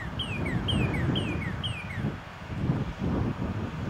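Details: A shy male northern cardinal near a house, present since winter, sings four loud, evenly spaced whistles, each sliding steeply downward, followed by rustling and a heavy low background rumble.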